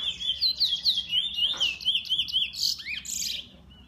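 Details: A Eurasian bullfinch sings a quick run of short, high chirping notes, about four a second, ending in a brief creaky flourish and a falling whistle.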